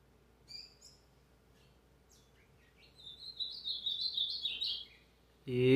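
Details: Brown-plumaged azulão giving a few scattered high chirps, then a rising run of bright, fluttering whistled notes lasting about two seconds, cut off by a man's voice urging the bird on.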